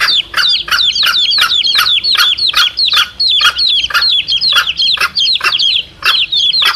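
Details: Mother hen and chicks, played to lure wild junglefowl cocks. Rapid, insistent peeping, about three notes a second, high and slightly downslurred, forms a steady chattering mass.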